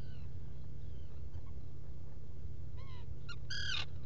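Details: At a nesting burrow on Seal Island NWR, Maine, a Black guillemot gives a quick burst of clipped, stacked harmonic notes after faint earlier calls. Burrow camera recording from early morning, 07-05-2018, with a low droning rumble throughout.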